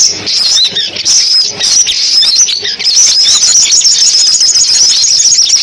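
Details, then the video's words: Sunbirds in a mixed recording made for playback through a loudspeaker to lure birds into traps: dense, high, thin twittering with rapid overlapping chirps and short sweeping notes, running almost continuously. "tiếng chim hút mật tổng hợp dùng bẫy loa"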